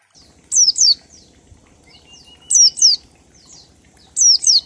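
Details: Oriental white-eye singing in the ngalas style, used as a lure to make other white-eyes sing quickly and show their repertoire: high, thin descending whistled notes in quick pairs, repeated roughly every 1.8 seconds over a faint low hum.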